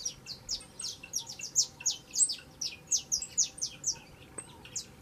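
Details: Saffron finch, a young bird, singing persistently in a quick run of high, slurred chirps falling in pitch, notes tumbling over one another with little pause, over a faint steady background hiss.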